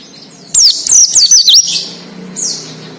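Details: Wild Oriental white-eye song used to prompt untrained captive birds to sing: a loud, tight string of five high zigzagging whistled notes, then a softer single downslurred note after a short gap.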